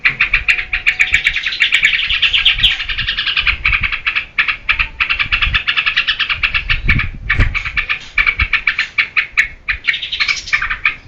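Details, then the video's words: Energetic yellow-vented bulbul song played to lure and teach cage birds, a long run of quick chattering notes with a few brief pauses and faint low background rumble. "SUARA TRUCUKAN GACOR UNTUK PANCINGAN DAN MASTERAN"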